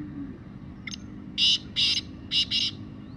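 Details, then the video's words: Black francolin calling: one short faint note, then a rapid run of four harsh, grating, buzzy bursts in two pairs over about a second, over a steady low background hum. "Kala Teetar Full Sound"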